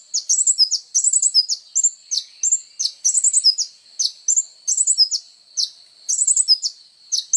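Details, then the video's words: Sunbird (kolibri ninja) song meant to train songbirds: steady run of short, high, sharply descending chips mixed with quick twittering doublets and triplets, repeated without pause. "SUARA BURUNG KOLIBRI NINJA GACOR FULL TONJOLAN MATERI MEWAH"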